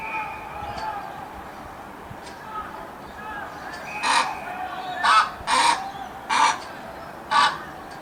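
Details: Bin chicken, the Australian white ibis, giving a series of five harsh, raspy croaks in the second half, irregularly spaced, with faint tonal background sounds and murmur earlier.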